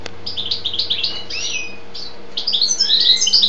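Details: European goldfinch, called a 'pisón', delivering rapid, liquid twittering: a run of quick chirps, a brief pause, then a louder burst of high trills and a rising, drawn-out note, with a constant low hum behind.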